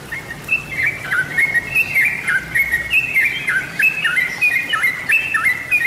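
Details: Lure recording of a yellow-vented bulbul singing a lively run of liquid, chortling whistles, each phrase stepping up then dropping, delivered in quick succession for several seconds with steady low background noise.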